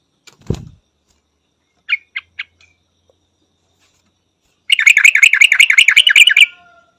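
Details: A Yellow-vented Bulbul: a low thump and three short separate notes, then a fast two-second chain of bright, metallic repeated notes that ends abruptly.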